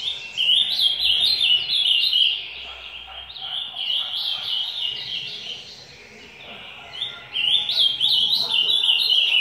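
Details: Ultramarine grosbeak singing the 'macaco' song type during a training session, in rich, high warbled phrases, three bursts with brief pauses between, over faint background talk.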